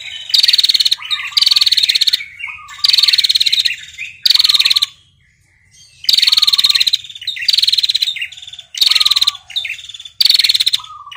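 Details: A female red-headed prinia calls a male with long, high, dry trills in bursts of about a second, repeated with short pauses, each ending in a lower chirp.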